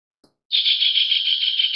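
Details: Javan kingfisher giving a harsh, dry rattle that starts abruptly after a tiny click and holds steady as a fast, buzzy trill for over a second, with no other sounds around it.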